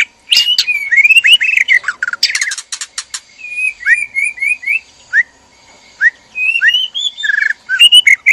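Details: Breeding-cage white-rumped shama, a male with a female, calling in mating arousal; clear whistled phrases with rising slurs and sharp high clicks, short pauses between phrases.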